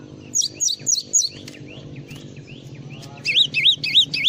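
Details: Java sparrow singing full isian song, first four falling whistles, softer twittering in the middle, then a series of loud, wavy, rising-and-falling whistled notes.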